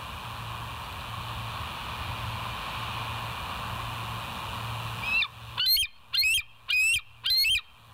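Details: Bald eagle on a West End live nest cam, 21 September 2023, early morning; after five seconds of low hum, five loud shrill piping notes, each slurring upward, follow at even intervals under a second apart.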